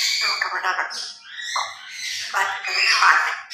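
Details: Pet grey parrots during a playful, noisy morning routine, producing a continuous flow of speech-like babble with raspy, wavering syllables and a few sharp whistled accents.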